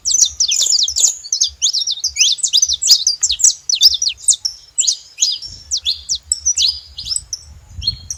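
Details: Saffron finches calling loudly at a feeder: rapid strings of sharp, high, slurred chirps pour out together at first, then thin into spaced single notes, over a low rumble near the end.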